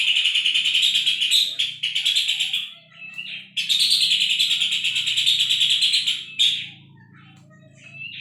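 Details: Puff-throated babbler used as a tutor recording for songbirds, giving two long, loud, harsh chattering rattles of fast even pulses, each lasting about two to three seconds, separated by brief whistled notes; soft low hum behind.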